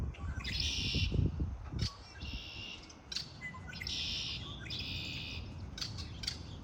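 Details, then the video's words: Spring birdsong: four repeated bright, buzzy twittering phrases of about a second each, separated by brief pauses and sharp chips, with low rumble underneath. "آوای آرامش بخش پرندگان در بهار(Relaxing with the sound of birds)"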